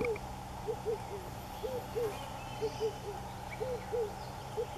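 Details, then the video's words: Red-eyed Dove at Underberg, South Africa, in 2015, giving soft, low coos in a rhythmic run of pairs and threes, about one note every half second, over a steady low hum. "Red-eyed Dove"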